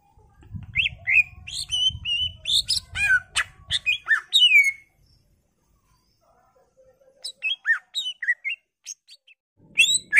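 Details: Greater green leafbird pouring out full isian song to trigger singing in other birds: varied whistles, chips and rising slurs over a low rumbling background, then a pause and a second burst of mixed whistled notes.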